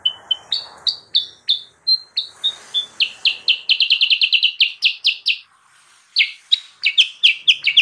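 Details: Sooty-headed bulbul song for luring wild birds. Begins with spaced, clear whistled notes, then quickens into a rapid chatter of bright chirps, breaks briefly, and resumes with more chirping.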